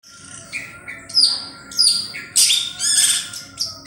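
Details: Long-tailed shrike singing actively, played as a lure recording: varied high chirps and short whistled phrases with several harsh scratchy notes, irregular, over a faint steady background tone.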